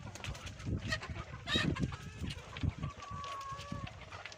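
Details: Hens and roosters calling in a farm coop around egg-laying time: short harsh squawks, one strong shrill cry in the middle, then a thin, steady whistled note held for about a second over soft clucking.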